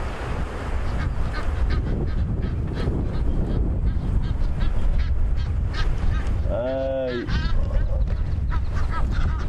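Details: Egyptian goose (Alopochen aegyptiaca) gives one loud, harsh, wavering honk with a falling end while chasing off two marabou storks to protect its six goslings, heard on a sunset safari drive over low wind or engine rumble and a faint voice.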